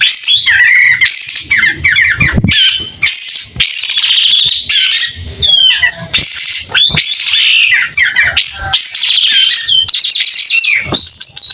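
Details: Tail-opening White-rumped shama singing with a clear voice, repeated loud whistled motifs mixed with scratchy chatter and falling slurs over about eleven seconds.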